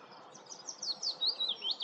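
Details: High piping calls of a common sandpiper at Lurgies, Montrose Basin, starting faint and growing louder: thin, sharp notes in an irregular series, some slurred downward, over a soft, steady background hiss.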